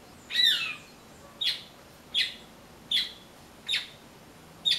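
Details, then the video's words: A blackbird that came looking for persimmons and instead ate passion fruit gives harsh, squawky notes with a bright ringing edge, repeated about every three-quarters of a second over a quiet background. "Melro Cantando"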